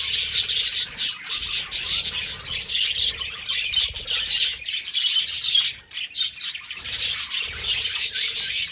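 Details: Budgerigars during mating chatter with rapid squeaky chirps and scratchy warbles. The sound drops away briefly after the middle, then the birds resume.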